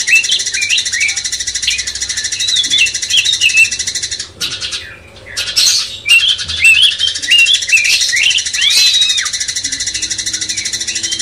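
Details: Cucak cungkok bulbul kept as a master songbird to rouse a magpie-robin, giving quick hooked chirps and short whistled notes in lively bursts, a brief pause, then resuming over a constant high pulsing hiss.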